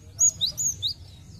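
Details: Lure song of the cinereous tit for prompting untrained birds to sing: four quick high whistles, alternating a piercing upper note with a lower slurred note, delivered in under a second against soft low noise.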